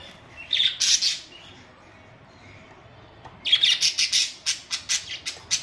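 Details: Home-kept budgies, May 24, 2023: two harsh squawky chirps, a pause, then a quick chattering series of about ten short, scratchy high notes at a fast, uneven pace.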